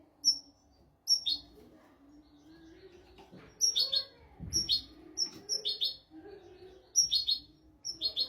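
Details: Royal-style European goldfinch song meant for tutoring goldfinches and canaries: clusters of piercing high whistles followed by scratchy twittered bursts, repeated irregularly, with a faint low background rumble and soft murmuring below.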